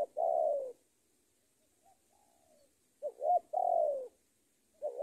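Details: Decoy spotted dove calling out to a rival bird: low, hollow cooing phrases with a drawn-out falling coo, then a short two-part note and another long coo, a faint coo between them, and the phrase repeating at the end.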